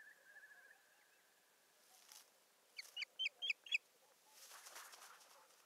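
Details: At a Satakunta osprey nest on 7 May 2019, with a bird bringing a stick and bustling about: a soft low warble at first, then four sharp whistled yelps in a quick row, faint rustling afterwards.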